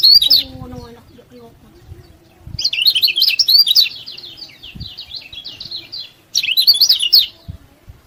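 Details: Tutor song of a lemon-bellied white-eye, intended to provoke rivals: a short burst of sharp high twitters, a quiet pause, then a long chattering phrase of quick descending and rising notes, and another burst.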